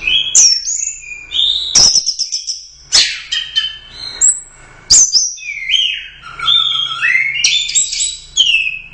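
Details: Champion competition orange-headed thrush from the Royal Cup in full song: rich, fast sequences of sweet whistles, sharp upslurred notes and rolling lower warbles, separated by several abrupt sharp clicks.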